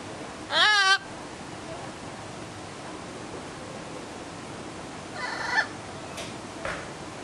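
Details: Playful captive blue-throated macaw at ZooTampa, Tampa, Florida, 31 January 2011, being handled and trying to bite, gives one loud, harsh, wavering squawk, then a few softer rasping notes a few seconds later.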